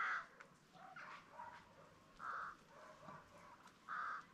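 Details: Peafowl at a farm keeping green and Spalding peacocks: three loud, nasal, harmonic calls around two seconds apart, each a short blaring burst, with quieter softer calls between them over faint background hiss.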